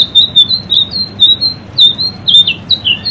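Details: White-rumped shama singing for a caged-bird training track: loud, sharp chirps and slurred whistles, roughly one per second, with some clicking noise.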